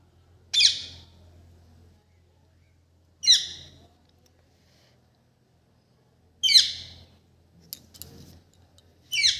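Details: Green parrot giving its natural call: four loud, harsh, rasping squawks, each short and bright, spaced roughly three seconds apart, with a faint low hum underneath.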